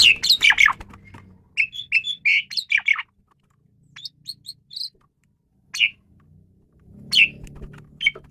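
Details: Asian pied starling song: a loud scratchy burst, then a run of rapid squeaky chirps, followed by sparse single whistled notes with brief gaps and a soft low hum behind.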